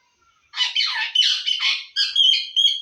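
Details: Pet parrot talking in Assamese, saying phrases like a greeting and a question; harsh, raspy speech-like squawks in a steady stream of syllables, with a brief silence at the start.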